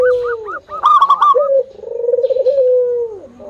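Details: Singing local zebra dove, used to coax other doves into singing. Soft bubbling notes lead into a burst of rapid higher pips, then a long, smooth, wavering coo that drops away at the end.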